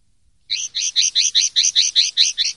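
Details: Common linnet singing in the clean style called pardillo limpio, 2023/2024: a rapid, even run of about ten twangy, buzzy high notes, roughly four per second, loud and clear with no other sounds.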